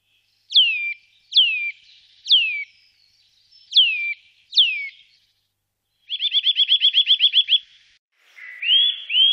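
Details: Eurasian nuthatch, recorded in 2018, giving five loud descending whistled notes about a second apart, then a fast rapid trill of about a dozen notes, then rising whistles at the end; no other sounds.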